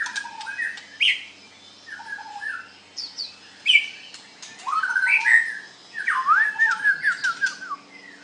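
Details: White-rumped shama singing in a contest: scattered short whistles and slurred notes, then louder rising swoops and a final stepping series of rapid descending whistled notes, faint hum behind.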